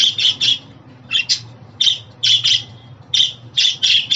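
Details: Budgerigar giving short, buzzy, high chirps in quick clusters of two or three, about eight bursts in four seconds, separated by brief pauses, over a faint low hum.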